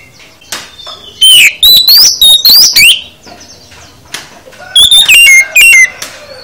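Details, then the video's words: Oriental magpie-robin singing a full song: a run of loud rising whistles and sharp chirps, then a pause, then a second burst of falling whistled notes repeated several times. "Kicau KACER Full Isian"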